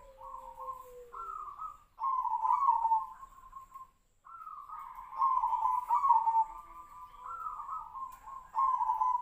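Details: Perkutut (zebra dove) called Tejoanom, voice compared to the sirtu-sirpo bird: a faint lower note opens, then long runs of purring, slightly wavering coos at an even pitch, phrases joined with brief breaks.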